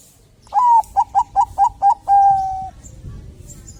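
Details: Singing zebra dove of the Bangkok type, used to prompt other doves to sing. After a long opening coo come five brisk clipped coos, ending in a sustained even coo over low rumbling noise.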